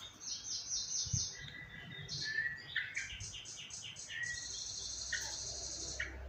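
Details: Sooty-headed bulbul being fed, giving rapid bursts of short, high, thin chirps run together in quick trills, broken by lower, slurred two-note calls, over faint background hiss.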